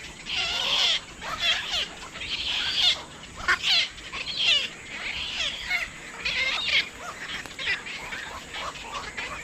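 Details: Black-crowned night heron calling: a busy series of harsh, scratchy, overlapping squawks and chattering notes in uneven bursts, some rising and falling, with a steady low hum beneath.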